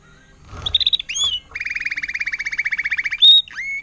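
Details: Tutored Timbrado canary, agate topaz intensive yellow, recorded in 2018, sings a short whistled phrase, a brief rising note, then a fast even trill of about twenty-five buzzy notes, ending with a high whistle and a lower slurred note.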